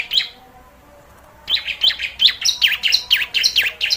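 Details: Bar-winged prinia calls used as a lure to attract birds: after a short quiet start, a run of sharp, high chirped notes repeated roughly three times a second, some with a quick down-up V-shaped sweep.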